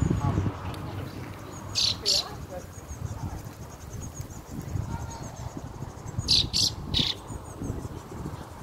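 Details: A fieldfare chick with its family on June 2nd gives two clusters of sharp, harsh high calls, a pair early and a triple later, with fainter chirps and low rumbling background between.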